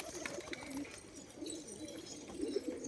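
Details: Pigeons in Maharashtra, India, giving low, throaty rolling coos that overlap into a steady murmur, with soft wavering swells throughout and faint higher clicks and rustles in the background.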